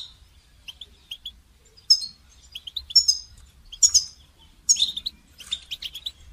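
A goldfinch sings a bright, tinkling twitter, with quick high chirps and liquid trills coming in bursts about once a second.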